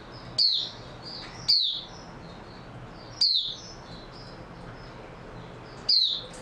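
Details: Oriental white-eye, known locally as mata puteh, said to have slept well the night before; four thin, high, downward-slurred chirps spaced about a second or more apart, with faint twittering between them.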